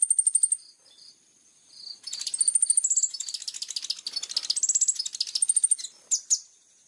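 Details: Plain-throated sunbird song, a sharp, clear training recording: very high thin trills and rapid ticking notes packed into dense bursts, with short high whistles, a pause near the second mark, then a long busy run ending in two clipped notes.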